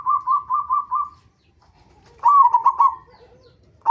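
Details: Zebra dove, a local bird, giving lure song to make others of its kind sing: an evenly pulsed string of five soft coo notes, a pause, then a louder stuttering trilled coo phrase.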